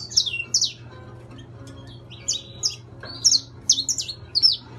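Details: Intense yellow saffron finch, kept in captivity, singing sharp high downslurred chirps in small clusters separated by short pauses, over a constant low electrical hum.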